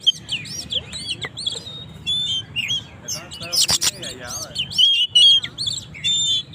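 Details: Oriental magpie-robin (kacer) singing energetically to provoke rivals: a lively stream of varied high whistles, slurred rising and falling notes and short chirps with brief pauses, broken once by a sharp broadband burst.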